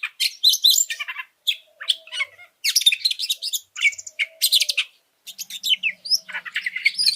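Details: Oriental magpie-robin singing a varied training song that provokes other birds: harsh scratchy bursts mixed with whistled phrases, short gaps between runs, a faint low steady tone underneath.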